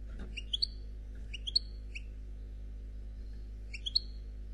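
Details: European goldfinch of the black Khalwi style calling softly: short clusters of three or four thin, high tinkling notes, each ending on a brief whistle, repeated three times with pauses between.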